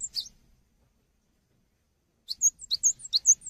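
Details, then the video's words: Gelatik batu, the cinereous tit, chattering for tutoring caged songbirds: a brief high note, a pause of almost two seconds, then a lively string of bright, bouncing two-part chirps. "GELATIK BATU GACOR UNTUK MASTERAN"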